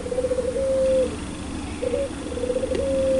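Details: Spotted dove, known locally as puter pelung, giving loud, clear cooing: several short rolling coos, each followed by a longer steady note, over a constant hiss.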